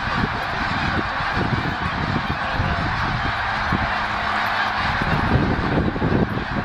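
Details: Thousands of overlapping honks from snow geese travelling from their feeding field to a lake for the night, Middle Creek Wildlife Management Area, Pennsylvania, 2012; the chorus stays steady and loud throughout, swelling slightly toward the end.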